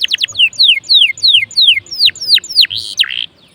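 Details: Lively canary song played to prompt other canaries to sing: a string of clear whistled notes sliding steeply downward, roughly three per second, ending in a rough buzzy note.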